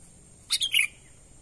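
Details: Sooty-headed bulbul, natural call used to lure wild birds: one short phrase of three quick notes, a sharp high chip and then two fluttering, slightly falling whistles, over a steady high hiss.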